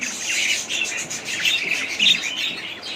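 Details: Budgies giving scratchy squawks and brief whistled chirps in quick succession, the notes blurring into a constant noisy chatter.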